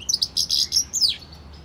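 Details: Goldfinch and canary hybrid singing a short burst of bright, high twittering notes, a quick run of chirps followed by a downward-sliding whistle, then quiet.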